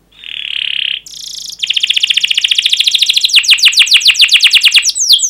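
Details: Domestic canary singing a long rolling song used as a lure for other canaries: a steady whistled note, a harsh buzz, then a fast rolling trill breaking into quick downward-swept chirps.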